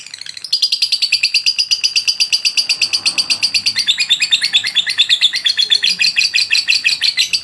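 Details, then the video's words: Lovebird ngotot song of long duration, for masteran training. After a quiet start comes a sustained, unbroken stream of fast, high, rattling chirps lasting several seconds. "lovebird ngotot durasi panjang"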